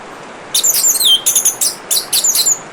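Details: Orange-headed thrush song of high, rapid, squeaky notes and a descending slurred whistle, delivered in quick clusters above a constant sound of running water.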